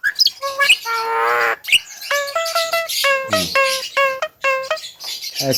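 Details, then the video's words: Javan myna giving harsh, nasal squawks with a buzzy ringing tone, one drawn-out note followed by a series of short, evenly paced honking calls, with some low rattling between them. "BURUNG JALAK KEBO TERGACOR"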